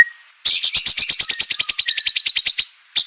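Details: White-rumped shama delivering a rapid, even trill of about twenty high chattering notes over two seconds, played to make other shamas sing, after a soft low whistle.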